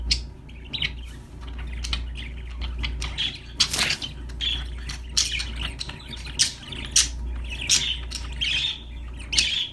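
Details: Budgerigars, described as happy parakeets, chirping and singing: scattered bright, short chirps and squawky notes in irregular bursts, with a steady low hum underneath.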